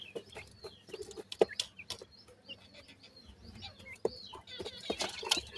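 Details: White francolin (teetar) chicks while feeding give short high cheeping peeps, scattered and overlapping, mixed with sharp clicks and taps from pecking or handling.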